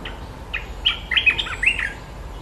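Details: Territory-holding sooty-headed bulbul answering a challenger's call and displaying without pause; a lively burst of warbling, gurgling whistled notes, slurred up and down in quick succession.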